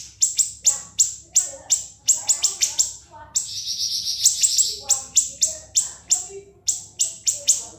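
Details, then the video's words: Shrill siri-siri master song in ngebren style, kept as a tutor for other songbirds: fast runs of piercing high notes broken midway by a dense buzzy high trill, then more sharp repeated chips. "MASTERAN BURUNG SIRI-SIRI NGEBREN SUPER PEDAS TEMBAKAN TAJAM & SUPER PANJANG"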